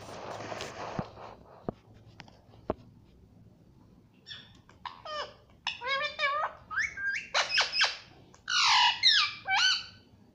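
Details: Pet rose-ringed parakeet, a ringneck, in a chattering run of harsh squawks and squeaky talk-like syllables that grows louder and denser through the second half, after a few faint clicks and quiet hissy noise at the start.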